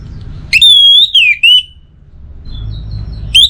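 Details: Orange-headed thrush, kept caged, utters long pure whistles that slide downward, a few drawn-out notes in a row, then resumes after a brief pause over a low humming background.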